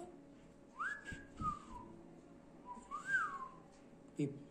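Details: A pet cockatiel gives two clear whistled phrases, each rising then gliding down, with a few soft knocks between.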